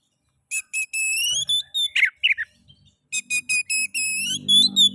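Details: Oriental magpie-robin, known locally as kacer, singing a lure song meant to stimulate other magpie-robins: loud whistled notes in short repeated bursts with harmonics, slurred rising whistles and harsh chattering phrases, a faint low hum beneath.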